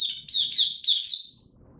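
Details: Oriental white-eye in 'buka tiong aw' song while being brought into form, 3 January 2022: four loud, high, bright chirps in quick succession, the last ones sweeping downward and fading.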